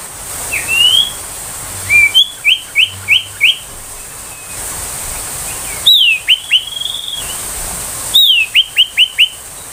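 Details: Ashy tailorbird song for training young birds and magpie-robins: a rising whistle, then phrases of a high falling note followed by four or five rapid matching chirps, repeated three times with quiet gaps.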